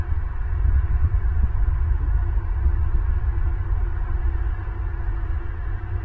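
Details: Only a steady low rumbling hum with throbbing pulses is heard at a bald eagle nest camera in southwest Florida, with no animal calls.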